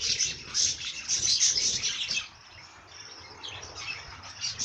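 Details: Lively chirping bird song, rapid high notes repeated about three times per second, loud at first, then softer and more scattered.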